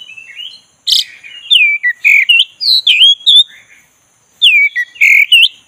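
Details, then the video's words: Oriental magpie-robin of the black-breasted form, goaded into singing, giving loud clear whistles that swoop down then up, clipped chirps and a short silent gap before another bright burst of phrases. "pancing kacer tak bergairah jadi gacor|kacer dada hitam"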